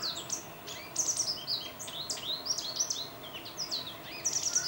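American goldfinch giving rapid, high twittering notes with quick rising and falling slurs, bursts every second or so, over a soft background hiss.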